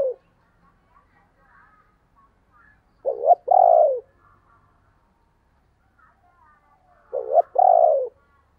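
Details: Spotted dove calling in the 'thúc' and 'gáy gọi' styles, 2022 recording: two soft phrases about four seconds apart, each a brief coo followed by a longer, fuller, slightly falling coo, with quiet background.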